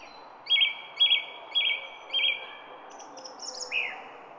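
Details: Garden songbird song: four clear, flat whistled notes spaced about half a second apart, then a high thin trill and a final dropping note, over a soft background hum.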